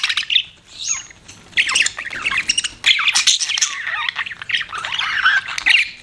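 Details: Budgies chattering continuously, a busy mix of squeaky chirps, warbles and rasping notes in overlapping bursts, with a few brief gaps.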